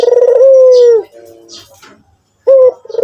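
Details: One long, loud, wavering coo from a white Barbary dove, ending in a downward slide and soft lower notes, then a new phrase starting with a short rising note; faint high bird chirps.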